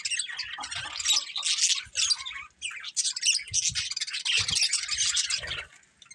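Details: Colourful budgerigars of a breeding pair chirping in a steady, dense chatter of scratchy warbles, squeaks and harsh notes, with a few soft low knocks in the background.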